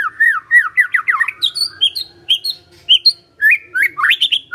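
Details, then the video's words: Magpie-robin singing energetically to prompt a reply from other birds: quick series of clear whistled, looping notes repeated in short bursts, mixing slurred upward phrases with higher sharp chips and brief pauses between phrases. "Murai Nyaut Gacor Dengar Ini"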